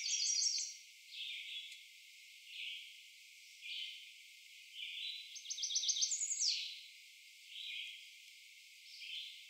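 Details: American redstart singing at Doodletown during nesting season, a forceful one-section song of high, thin, two-element phrases, one burst ending in a rising flourish, while a red-eyed vireo repeats short phrases every second or two.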